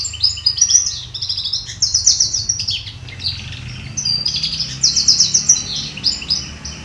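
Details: A canary trained to sing in goldfinch style delivers fast, high, twittering phrases with buzzy trills, in bursts separated by short pauses, over a low background rumble.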